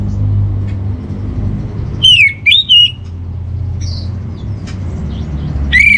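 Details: Orange-headed thrush master song for training home birds: three loud, clear, slurred whistles, each falling then leveling, separated by short gaps, then a fourth whistle at the end over steady low background hum.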